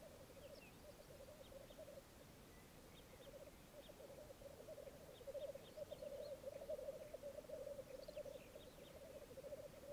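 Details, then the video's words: Distant black grouse lekking on a Mykland bog, Norway, May 2022 morning, twelve cocks and two hens: soft, continuous low bubbling in rolling phrases, with faint high chirps of other birds scattered above. "Orreleik i Mykland, mai 2022"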